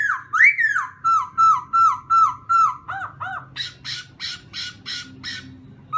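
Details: Black-throated laughingthrush singing in the morning during voice training: a rising whistled slur, then a string of clear, level whistles repeated about every third of a second, ending in rapid harsher notes. A faint low hum lies underneath.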